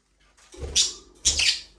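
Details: Budgie in a small aviary giving two short, harsh, buzzy chirps about half a second apart, each rising into a scratchy burst, in an otherwise quiet room.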